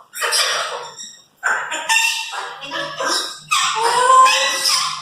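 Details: Pet Congo African grey parrots chattering indoors, bursts of harsh speech-like babble and squeaky tones separated by short silences, several voices overlapping.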